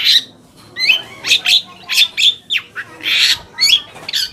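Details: Long-tailed shrike lure song for making other shrikes answer: sharp, sliding chirps and buzzy squawks in quick bursts, with one longer rasping note partway through.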